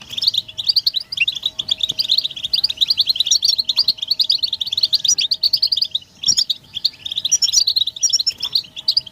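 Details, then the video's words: Collective goldfinch chirping, mating and readiness calls played to push a male out of silence: fast, tinkling high notes pour out continuously. A faint steady hum sits low in the background, with one short break near the end. "بتبتة حسون الشوك تحفيز الحسون على التغريد والهيجان علاج صمت الحسون goldfinch stimulation"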